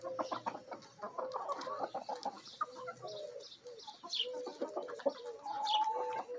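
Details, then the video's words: Backyard rooster of mixed Bielefelder and Golden Cuckoo Marans breeding with Marans, Araucana and Easter Egger hens during a feeding frenzy; steady drawn-out murmuring clucks and short high chirps, one longer rising note near the end. "My Chickens: ASMR Bielefeld Marans Rooster & Hens Feeding Frenzy!"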